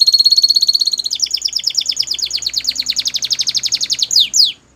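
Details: Belgian canary in full song, a smooth rapid trill shifting into a pulsing rolling trill of falling notes, ending with two sharp downward sweeps.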